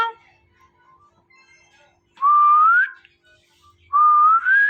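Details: Male and female pet ringneck parrots mating before a mirror: two long, pure whistles sliding slowly upward, each lasting under a second, separated by near silence with faint soft chatter.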